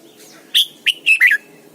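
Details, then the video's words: Red-whiskered bulbul, a caged decoy bird, singing its morning song: one bright phrase of four whistled notes, the last two slurred together and dropping, with a soft low hum behind. "luyện chào mào mồi hót sáng cực hay, ép chào mào hót âm kép già rừng hay tuyệt!"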